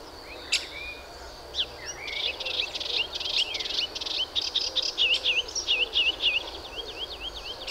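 A melodious warbler pours out a fast, chattering song of high twittering notes, with quick repeated slurred phrases that build into a steady babbling stream.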